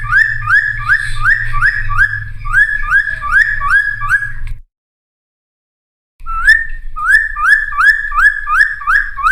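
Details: Cucak timor in full song as a lure and training sound for wild-caught birds: quick repeated rising whistles, nearly three a second, broken by a gap of silence of over a second before the series resumes, over a low hum.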